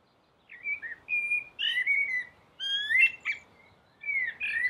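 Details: A blackbird sings on a roof: three clear phrases of rich, flutelike whistles, some rising and falling, each with a brief high squeak, separated by pauses of under a second.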